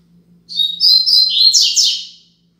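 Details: Braddock-style song of a Double-collared seedeater, played to teach young birds: a bright two-second phrase of fast high trills ending in descending slurred whistles, over a faint steady low hum.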